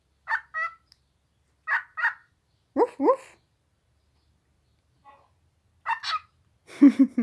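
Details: Pet talking cockatiel in New Zealand's North Island talks in short, paired, speech-like syllables with pauses between them, ending in a louder, rougher burst of chatter.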